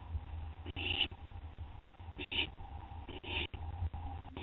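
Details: Night recording, 2:56 AM, 10 September 2011, of an owl eating a gopher from another owl; a few short raspy hissing screeches separated by pauses, with a steady low droning hum beneath.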